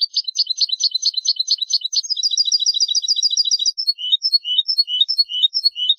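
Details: Tutor song of a European goldfinch for young birds: dense, rapid twittering, then a steadier run of tightly repeated high notes, followed by looser, varied chirps and slurred notes, continuous throughout.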